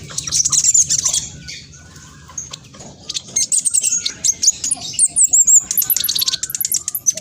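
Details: Vigorous speckled black sunbird, used to provoke other birds into answering: high thin twitters and rapid chip trains, with looping squeaky whistles and a busy, hurried rhythm throughout.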